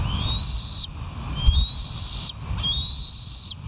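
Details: West End bald eagles on a nest cam, September 2023, afternoon: three drawn-out, high whistled notes, each gently rising then dropping at the end, about one second apart, with strong wind noise underneath.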